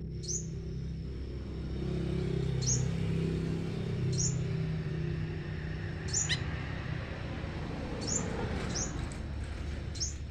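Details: Leafbird calling back and forth with a scarlet minivet: short, thin, high downward-slurred whistles repeated irregularly every second or two, sometimes paired, over a constant low rumble of distant traffic.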